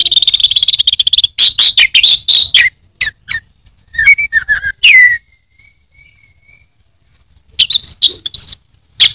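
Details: Anis merah, an Orange-headed thrush kept by Indonesian songbird fans, pours out a buzzy rattling trill and rapid chatter, then soft scattered whistles, a faint drawn-out note and a final burst of chirps.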